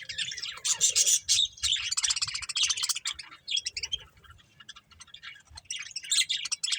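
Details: Chirping from a breeding pair of budgerigars: rapid bright chattering warble, strongest early, fading into sparse scattered tweets before a late flurry.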